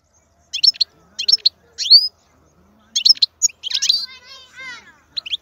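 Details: European goldfinch, wild-caught, singing short separated bursts of twittering chirps and a rising whistled note, with brief silences between phrases and a softer wavering sequence near the end.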